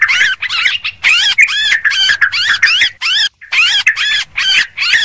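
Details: Sooty-headed bulbuls for luring birds, calling noisily: choppy bursts of scratchy, looping chatter in quick succession, with a brief pause near the middle.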